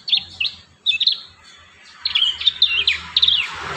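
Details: Chirping prinia song meant to lure and train young birds: paired clipped notes at first, then a denser run of rapid high chirps, with a rising hiss at the end.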